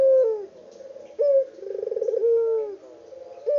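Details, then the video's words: Original recording, unedited, of a lively local puter dove cooing. Each phrase starts with a clear rising note, then a fast vibrating roll, then a sustained note falling away, and the pattern starts again near the end. "BURUNG PUTER LOKAL GACOR ISTIMEWA"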